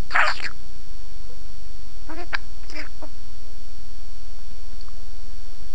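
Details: Parrot that talks in Armenian: a single sharp, harsh squawk-like word, a pause, then two short clipped syllables, followed by quiet room hum.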